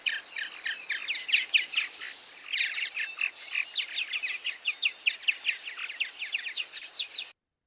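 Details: Purple martins give their distinctive rich twittering, often heard as they fly quickly past overhead: a continuous stream of throaty chirps and creaky, gurgling rattles, several notes each second. Purple martin.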